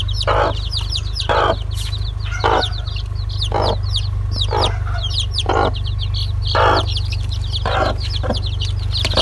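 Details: A long run of shrill, falling chick peeps from several birds. Broader clucking bursts repeat about once per second, and a low electrical-sounding drone continues throughout.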